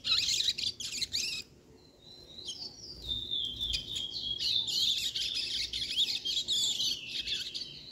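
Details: Two-month-old chestnut-bellied seed finch chick practising its song at a quick tempo: dense high chattering notes, a brief pause, then a clear descending whistled phrase followed by renewed rapid twittering and buzzy trills.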